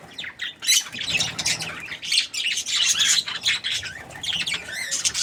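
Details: A happy budgerigar gives steady, busy warbling: rapid scratchy chirps, buzzy notes and a few rising whistles follow each other with little rest.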